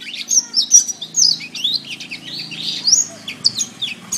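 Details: Master recording of canary song: quick, bright whistled notes sliding up and down, strung together in lively varied phrases over about four seconds.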